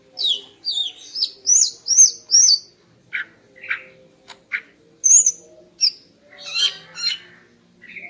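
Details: Female greater green leafbird singing in the morning to arouse a male: a run of sweet slurred whistles, then short scratchy chips, a clear upslurred whistle and a burst of buzzy chatter, over a faint steady low hum.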